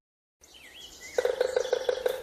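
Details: A woodpecker drums on a bat house to make a loud racket: about ten resonant knocks at roughly six per second, after a brief thin bird chirp.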